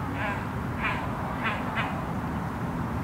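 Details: Great crested grebe chicks at feeding time while parents try to feed them fish, recorded from a boat at a far distance: four thin, faint piping calls spaced about half a second apart, under heavy engine and water noise.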